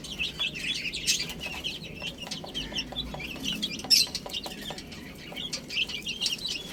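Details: Chicks pecking spinach, softer scattered high peeps with brief louder cheeps, frequent dry tapping clicks between calls.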